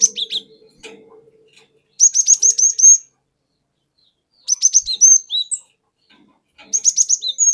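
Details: Lure song of a forest-caught cinereous tit, played to provoke other birds: three bursts of quick, repeated high whistled notes, each burst about a second long, with faint low sounds early on.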